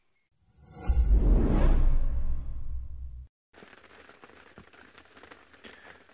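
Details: A loud rushing whoosh with a low rumble fades out, then quieter crackling outdoor ambience follows.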